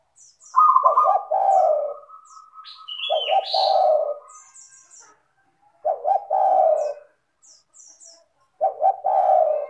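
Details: Spotted dove song meant to lure other doves to sing: a level buzzy trill over deep coos, a quick high rising whistle, then three further low coo phrases about two to three seconds apart, with faint high chirps.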